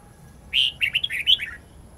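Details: Red-whiskered bulbul, long twisting wild-type song used to coach young birds: a strong whistled note opening one brisk phrase of slurred, bubbling notes that ends in lower falling tones, over faint steady hiss.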